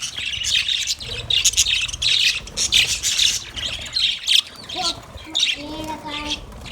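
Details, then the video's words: Several caged budgerigars, described as happy and playing, chirping in a busy continuous chatter of scratchy, warbling notes, with a few clearer whistled notes near the end and a low background rumble. "Happy Budgies Chirping sound"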